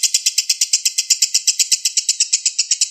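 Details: Lovebird in a "konslet" lure song, a fast, unbroken chatter of high, harsh chirps repeated about six times a second, steady and loud throughout.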